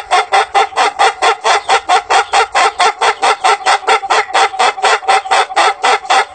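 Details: Ayam Ketawa "laughing rooster", a long-crowing chicken breed from South Sulawesi, Indonesia: a long crow of rapid, staccato cackling syllables, about four a second, running unbroken like mechanical laughter.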